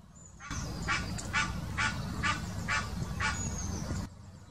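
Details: Egyptian goose giving its mating call, Wittlich Depression, Germany, 2018: a burst of six hoarse, evenly spaced honks about two per second, starting and ending suddenly, with a faint high whistle of another bird and low background hum.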